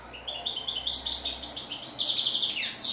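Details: High, rising twitter from a European goldfinch, starting with thin notes and building into quick, tinkling trills and chirps.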